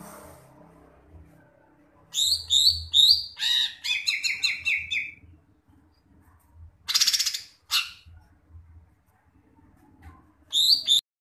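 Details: Greater green leafbird song: bursts of varied, sweet whistles and rapid slurred notes, some rising and some falling, separated by short pauses. A quieter harsh chattering burst comes midway, with a faint low hum underneath.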